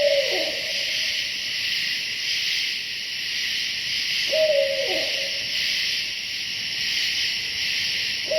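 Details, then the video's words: Wild barred owl calling at night right above a tent in Hoosier National Forest, calling for his mate: two-part hoots ending in a downward slur, heard near the start, mid-clip and at the end over a steady, loud insect chorus. "That's a barred owl right above my tent. He's calling for his mate."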